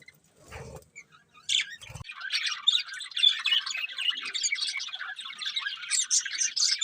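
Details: Budgerigars eating and singing, a few knocks and a sharp squawk at first, then a steady continuous chirping chatter to the end.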